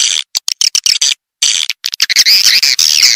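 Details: Swiftlet call meant to attract swiftlets: a string of rapid clicks, then sustained high chattering twitter with slurred tones, loud and close.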